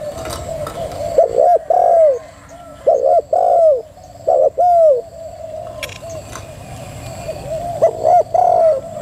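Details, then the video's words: Cooing female spotted dove (thúc gù): soft lead-in coos build to loud two-part phrases, a quick note then a long falling coo, in irregular bursts with quiet gaps, and a steady background hum throughout. "chim cu gáy mái thúc gù cực hay"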